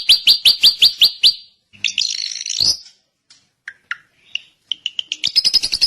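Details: Drongo singing a varied phrase: seven sharp, evenly spaced chips, a scratchy buzzy burst, scattered soft whistled notes and short chirps, ending in a quick run of bright, clipped notes.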